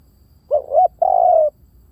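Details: Single lure phrase from a spotted dove: two mellow rising hoots followed at once by a half-second steady, slightly falling coo, recorded close and clean.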